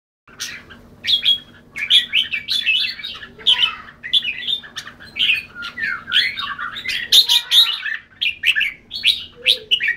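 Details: Red-whiskered bulbul singing: a dense, continuous run of quick chirps and short warbled phrases, mostly high-pitched, in bursts with brief gaps, over a faint steady low hum.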